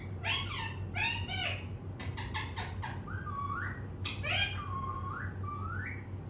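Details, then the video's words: Indoors, a pet parrot mixes raspy, speech-like syllables with clear whistled notes that dip and then rise, phrases separated by brief gaps, over a faint background hum. "Mittu Ne Bol Bol kar Pkaa Diya"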